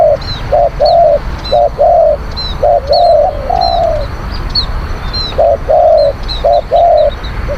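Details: Spotted dove cooing to lure wild birds: brisk repeated phrases of short coos and longer drawn coos, almost a phrase a second, with regular thin high chirps from another bird and a low background drone.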